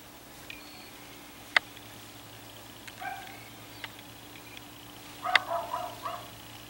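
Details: A baby squirrel cuckoo (Piaya cayana) in a São Paulo garden gives short, harsh nasal notes, a brief pair and then a quick burst of four, amid sharp clicks and a steady low hum.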